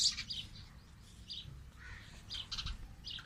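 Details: Two sparrows perched on green tree branches give short bright chirps and tweets in quick irregular bursts, with a low background rumble underneath.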